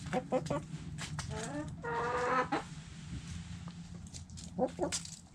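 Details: Hens and roosters in a backyard flock eating food scraps; quick staccato clucks, then a longer harmonic squawk of about a second, followed by scattered clucks and pecking clicks against a low background hum.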